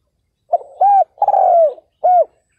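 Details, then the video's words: Decoy spotted dove calling to entice wild males, a single clear phrase of soft, low coos: brief opening note, arched hoot, drawn-out falling coo and closing arched hoot, in a quiet setting. "CHIM CU GÁY MỒI ĐẤT KÍCH BỔI CỰC SUNG"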